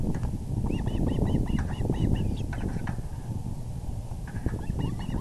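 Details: Evening at an osprey nest, April 6, 2020, 6:30 pm EDT, the male delivering a big fish: a fast string of short whistled cheeps, a pause, then a few more chirps, with a low wind rumble throughout.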